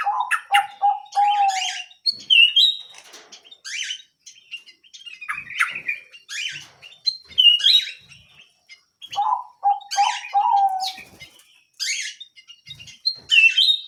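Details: Small canary singing actively: low fluty trilled notes repeated in runs, mixed with high sweeping chirps and bright whistled slides in a continuous varied stream.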